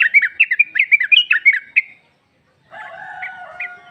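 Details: Female sooty-headed bulbul calling to a male, played as a lure: a fast run of bright, bouncing chirps for nearly two seconds, a short silence, then a quieter blurred stretch of lower tones with a few faint notes.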